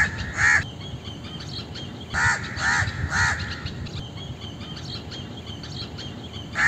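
Harsh, nasal caws from a crow, one alone, then three in quick succession about half a second apart, and another at the end, over steady low outdoor rumble.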